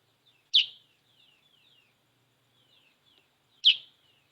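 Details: Sooty-headed bulbul, freshly bathed, singing two sharp, abrupt, descending notes three seconds apart, with a quiet run of thin slurred chirps between them.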